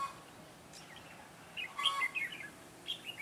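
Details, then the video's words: Red-whiskered bulbul decoy of the Mũ lân type from Ché, singing on 9 June 2017 to entice wild birds into a trap. A short pause leads to a burst of sharp, chirpy whistled notes and then a brief closing phrase. "Bẫy chào mào Mũ lân Ché nẹt mồi"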